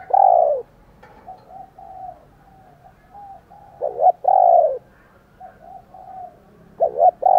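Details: Spotted dove calling, presented as coos to provoke fighting and morning calls. Loud, low, rounded coos come in phrases, each opened by a clipped double note. Quieter coos from another bird fill the gaps.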